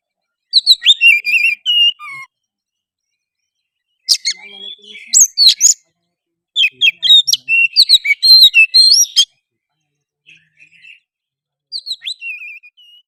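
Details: Oriental magpie-robin in full song, used to provoke a reluctant bird to sing, fight and spread its tail: several loud bursts of rapid, varied whistles and harsh chirps separated by silent gaps of a few seconds.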